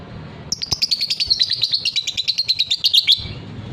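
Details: Fighter-type lovebird kept as a hobby bird, singing the prized long trill called ngekek panjang: a rapid, high chattering run of about twenty even notes held for some two and a half seconds, in a quiet indoor setting.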